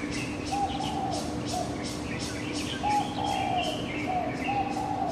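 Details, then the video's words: Early-morning birds recorded on a Canon PowerShot SX700 HS: repeated soft, hollow cooing notes alternate with fast high-pitched chirps and twitters, all over a persistent low hum. "Bird 早安曲"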